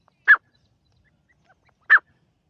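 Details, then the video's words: Partridge (teetar) giving two short harsh calls about 1.6 seconds apart, each a brief rasping note, with silence between them. "best Teetar awaaz"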